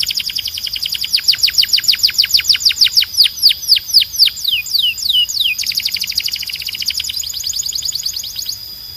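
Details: Belgian canary song for training birds: a fast run of sharply descending whistled notes, about three per second, slowing into drawn-out slurs, then a dense high buzzing roll.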